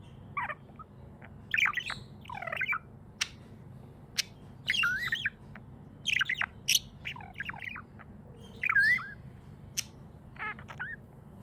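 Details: A happy budgie chatters in bursts of twisting, warbled chirps and quick up-and-down notes, each burst about a second long and separated by short gaps, with a faint low background hum throughout.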